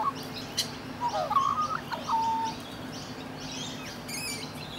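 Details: A pair of cuddling rainbow lorikeets in Australia grooming each other: a short burst of squeaky, bending chatter notes ending in a drawn-out whine, then fainter sounds, with a high chirp from another bird later.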